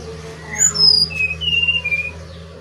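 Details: Brown-chested jungle flycatcher of the Bali type singing: a few clear, pure whistled notes, the first high and sliding down, then a run of level whistles, over a steady low hum.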